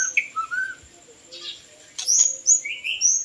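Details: White-rumped shama song used to lure birds: a few short whistled phrases, some low and gliding, then bright high chirps and trills after a pause, with a steady faint high tone behind.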